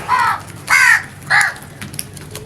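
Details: Three hoarse, descending crow caws in quick succession, loud and close, uttered naturally with a quiet background.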